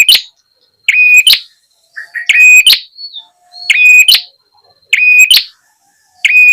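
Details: Ashy tailorbird calling in a bird-luring recording: piercing paired chirps with a steady high tone, repeated every second or so, with a short wavering whistle in between.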